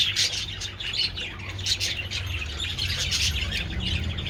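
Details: Budgerigars enjoying sunny treats on 27 February give rapid high twitters and chirps over a steady low rumbling background.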